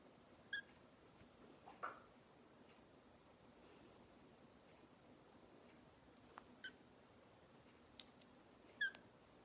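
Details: Pet green-cheeked conure, indoors, giving four short, high, chirpy notes spaced a few seconds apart over a quiet indoor hush.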